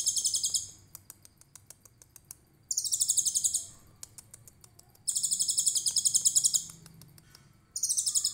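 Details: Actively singing konin trotol giving 'tembakan cililin' bursts meant as a tutor song for training songbirds: three shrill, rapid, pulsed trills of about a second each, then a short fourth, with soft clicking between them.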